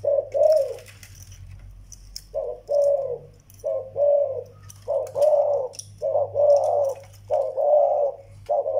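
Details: Young Malay zebra dove and an old Vietnamese decoy bird: one coo, a silent two-second gap, then regular soft purring coo bursts roughly every second, with light clicks and a low hum.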